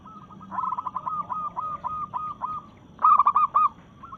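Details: Local zebra dove in breeding mood, cooing to challenge rivals: a long stuttering run of soft, mid-pitched coo notes, then a louder burst of four quick coos near the end, over a low background hum.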